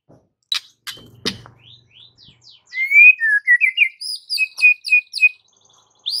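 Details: White-rumped shama song as a master recording to make a silent bird sing: sharp clicks, then rising and falling whistles and a quick series of high, evenly repeated notes.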